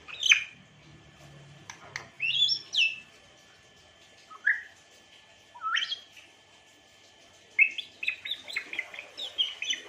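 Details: Sparse high chirps and whistles from an African grey parrot, isolated sharp notes and short upward slurs spaced by quiet gaps, ending in a busy burst of rapid chirping.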